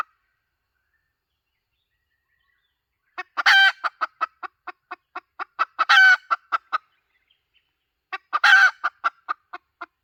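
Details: Hen sounding a lure call: after several seconds of silence, rhythmic rapid clucks set in, interrupted three times by a harsh stretched cackle, clucks continuing steadily between them.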